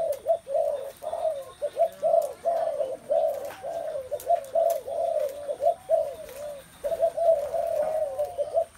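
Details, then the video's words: A flock of spotted doves cooing at once, low mellow notes packed tightly and repeated in uneven pulses, forming an unbroken wavering chorus above a faint high electronic tone. "tiếng chim cu gáy"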